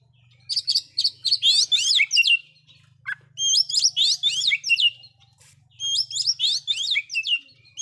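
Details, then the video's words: Oriental magpie-robin giving a loud, varied song with mimicked fill-in phrases that rouse other magpie-robins: three dense bursts of sharp whistles, trills and buzzy notes separated by short pauses, over a low steady hum. "KACER SUARA KERAS ISIAN BIKIN BURUNG KACER LAIN'JADI NAIK EMOSINYA"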